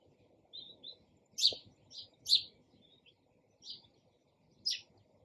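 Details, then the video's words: Sparrow giving a loose series of short, bright chirps, some doubled, others single and softer, over a faint low background hum. "SOUND OF SPARROW RELAXING CHIRPING SOUND."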